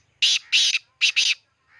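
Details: Black francolin calling near Khushab: loud, harsh, grating notes in quick succession, a rasping burst followed by a doubled one, then another close pair, with a faint softer note trailing off at the end.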